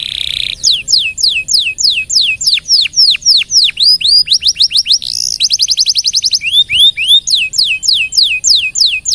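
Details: Canary in vigorous, long-running song used as a tutor recording for training other birds: rapid trills of steep, downward-sweeping whistles, switching into fast buzzy rattles and rolling phrases, high-pitched throughout.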